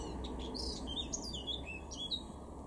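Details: A male Eurasian blackcap in a garden in Weener, East Frisia, northwest Germany, in April 2021, pours out a fast, scratchy warble of high, varied notes and short slurred whistles, over a steady low rumble.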